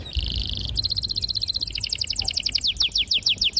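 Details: Canary song intended to stimulate young canaries to sing: a buzzy two-tone trill switches to a rapid high roll, then a run of bright falling slurred notes repeated several times a second.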